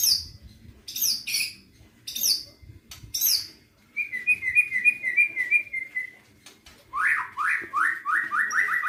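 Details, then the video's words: White-rumped shama singing a rich, varied song: high sweeping whistled notes, then a run of quick repeated mid-pitched chips, then a series of descending slurred whistles, all in lively succession. "BURUNG MURAI BATU gacor isian mewah"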